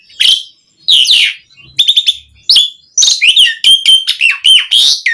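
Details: An Asian pied starling singing, played to stimulate other starlings: a few loud harsh squawks separated by pauses, then a quicker string of clear whistles and chirps with slurred downward notes.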